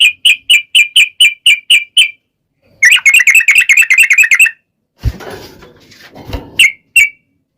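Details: Trucukan, the sooty-headed bulbul, in energetic long-run song meant to lure other bulbuls into answering; eight evenly spaced clipped notes, then a dense rapid chatter, a stretch of rustling noise and two final short notes.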